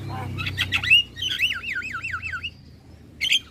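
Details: Javan myna song used as a lure for other starlings: harsh notes, then a long wavering warbled whistle rising and falling rapidly, ending with a brief squeaky note after a pause.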